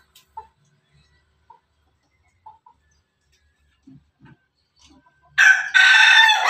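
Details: Crowing of a Pelung cock. Quiet taps and small sounds are followed by a loud, buzzy, harmonic crow that begins suddenly and is still going when the recording ends.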